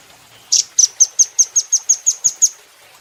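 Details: Velvet-fronted nuthatch (rambatan doraemon) recorded as a cage-bird training call: one harsh opening note followed by a fast, even run of eleven piercing high chit notes over two seconds, then silence.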